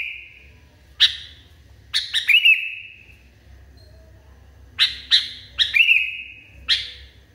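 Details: Sooty-headed bulbul in a raging, agitated mood: a trailing whistle, a lone sharp note, then repeated bursts of rapid harsh notes, each ending in a long, steady whistle. Quiet low hum behind.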